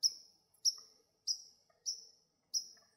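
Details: Agitated White-throated Sparrow calling on a marsh trail, July: five sharp, explosive chinks within three seconds, each ringing high and decaying fast.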